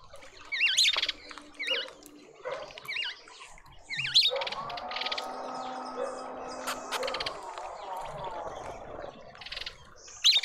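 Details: Mousebirds at a feeder in a suburban garden in Pretoria, South Africa, giving short wavering chirps, about five spaced over ten seconds, with a steady mechanical hum through the middle.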